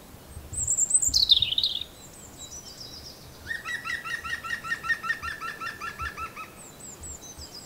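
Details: A loud, high, descending robin phrase opens the passage, followed by another bird's long, rapid, evenly repeated buzzy trill with soft low rumbles underneath.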